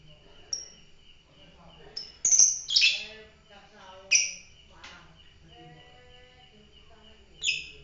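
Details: A fighter lovebird sings irregular shrill, raspy squeaks and short chattering bursts, some loud and some faint, scattered across the clip with soft background twitters.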